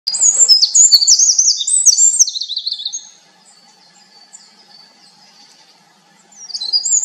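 Winter wren delivering a long, rapid tumble of high, tinkling trills and warbles for three seconds, a pause, then the bubbling song starting again.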